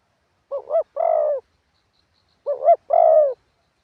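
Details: Decoy spotted dove delivering 'karam pa' wild-style song with 'khat' and 'nun' notes: two repeated phrases about two seconds apart, each two quick rising coos then a long mellow falling coo.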